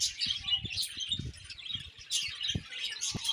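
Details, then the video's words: Budgies chirping in dense, overlapping high warbles and twitters, with low thumps and knocks beneath the chatter. "Beautiful Budgies Chirping Sounds"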